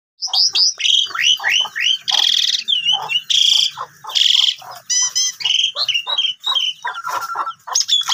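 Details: Asian pied starling song used to provoke silent starlings into singing: a loud, varied run of whistled downslurs, harsh buzzy rasps and squeaky notes, packed densely with brief gaps.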